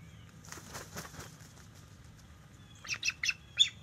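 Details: Bald eagle alerting at a nest territory on October 10, 2023, as a young male about five years old visits: a quick burst of three or four sharp, high chirped notes near the end, after softer rustling pulses.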